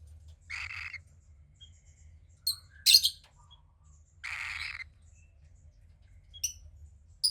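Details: About 15 days old, a captive female cockatiel chick from a pied pair utters two soft, breathy hissing calls with a sharp scratchy squawk between them, and a few faint clicks near the end.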